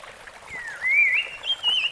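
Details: In the wild, a rusty-fronted barwing whistles one sweeping phrase that drops, climbs in a wavy glide and ends on a steady high note.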